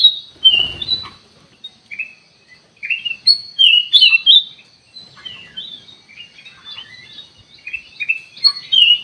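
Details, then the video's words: Sooty-headed bulbul lure song to draw a response: loud clear whistled and chirping phrases in rapid bursts, with a short rustling sound at the very start. "burung kutilang emas buat pemikat langsung respon"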